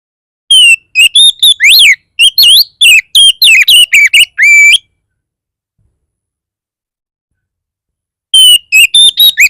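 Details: Oriental magpie-robin in 'bar bar' style, played to draw other magpie-robins into song: a long, rapid run of varied loud whistles, sweeps and chirps for about four seconds, then silence, then the phrase begins again.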